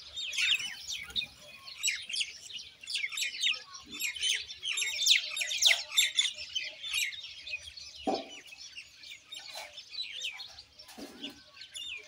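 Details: Common Indian myna producing a continuous, uneven jumble of harsh chirps and squeaks, roughly two per second, with occasional brief low knocks in the background.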